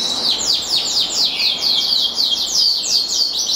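A black siskin mule sings a quick, high twittering song of sharp, downward-slurred notes, about four per second, with a thin continuous buzz beneath.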